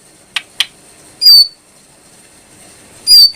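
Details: ['Brown prinia uttering a pair of loud, buzzy whistled notes with falling tails, roughly two seconds apart. Short sharp clicks come before and after them.']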